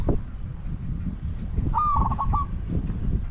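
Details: A single spotted dove coo from decoy luring of wild doves: an opening note then a rapid broken run of shorter notes, heard against steady low-pitched rumble.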